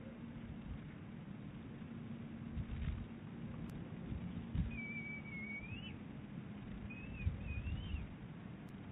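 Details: Eaglet and mother bald eagle calling at Big Bear Lake on 23 April 2018: two short, high, rising-and-falling whistled phrases midway, with faint taps and a steady low hum.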